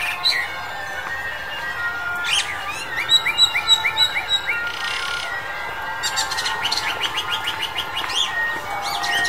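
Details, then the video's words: Male Chinese Blackbird singing in February 2021: quick runs of short, sharp upward-sweeping chirps, about three per second, a brief buzzy burst midway, then a denser twittering stretch, over a constant hiss. "中國黑鶇 (雄) Chinese Blackbird (male)"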